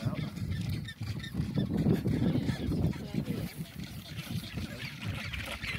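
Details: Northern rockhopper penguin, a lone vagrant on the Falklands, giving loud, low, harsh pulsed braying notes that repeat in rapid uneven bursts, with steady rough background noise.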